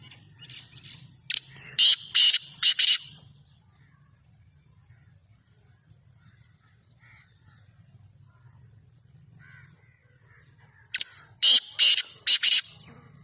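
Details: Two bouts of harsh, rasping francolin calls, each a quick run of four or five loud scratchy bursts, separated by about eight seconds of near quiet with a low hum and faint distant chirps.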